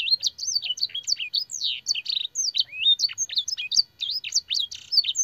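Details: Canary singing a training song with blackthroat and sanger fill, a continuous cascade of high whistles, downslurred chips and brief buzzy trills, loud and steady throughout.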